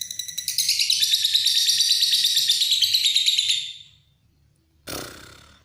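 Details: Lovebird pouring out a long ngekek, a high, quick-fire chattering trill lasting about three seconds before stopping, followed by silence and a brief noisy thump.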